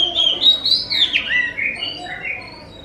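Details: Oriental magpie-robin song to draw answers from other magpie-robins: rich warbling whistles rising then sweeping down, with rapid slurred notes and a softer trailing whistle at the end.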